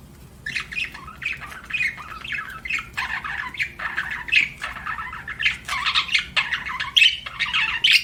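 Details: Pet budgies chirping: continuous scratchy warbling broken into rapid syllables, about one burst per second, growing louder and busier toward the end.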